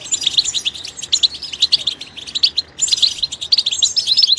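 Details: Singing goldfinch in the wild: a continuous stream of sweet, high chirps and twitters, one clear break just before the final second, then the twittering resumes.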